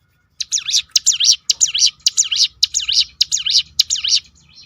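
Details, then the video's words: Ciblek gunung in a rolling 'roll tembakan' song used to provoke other birds to sing: rapid run of high, sweeping V-shaped chirps, about nine notes in four seconds, bright and even, over a faint low hum. "roll tembakan ciblek gunung memancing bunyi burung lain"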